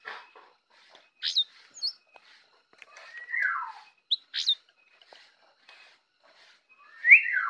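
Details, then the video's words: Morning song of a jongkangan, with scattered sharp chirps and brief rising whistles, a drawn-out downslurred whistle midway, and a loud descending whistled note near the end, separated by quiet pauses. "jongkangan ocehan di pagi hari"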